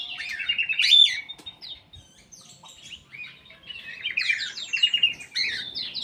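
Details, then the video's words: Black-capped bulbul singing actively in an aviary: a loud burst of whistled, chattering notes, a quieter pause, then a long run of rapid, bright warbled phrases. "KICAU KUTILANG EMAS \ CUCAK EMAS GACOR"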